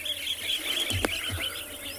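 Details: A group of wattled starlings in South Africa moving in and out of a tree by the water on a hot afternoon, making a racket; high, squeaky chirps repeat rapidly, with one sharp click midway.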